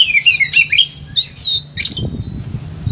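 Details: Oriental magpie-robin, caged and agitated, gives a quick run of twisting whistled notes followed by a long ringing whistle and a harsh burst, then fades into low rumbling noise; used to train reluctant singers.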